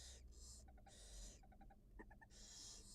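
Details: Barn owl nest with a wild mother feeding two newly hatched young: breathy hisses alternate with quick clusters of brief, clicky, tonal chirps, all within three seconds, against low background hum.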